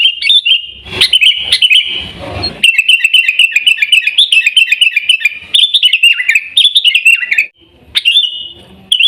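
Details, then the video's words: Sooty-headed bulbul in Pidie, Aceh, Indonesia, singing in the Gaya Garuda style: rapid, continuous chattering whistles, many short notes per second in a bright warbling run, with a brief rustling noise early on. "Gaya Garuda Burung Kutilang"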